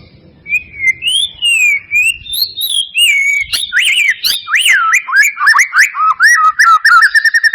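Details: White-rumped shama song used as a lure to provoke a reluctant bird into singing: clear whistled notes rising and falling, then a rapid run of varied swooping phrases and sharp chips.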